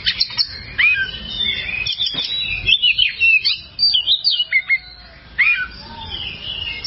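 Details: Oriental magpie-robin (kacer), a long tutor song for training birds that sing poorly. Clear varied whistles, slurred sweeps and sharp short notes come in bursts over a steady low background rumble.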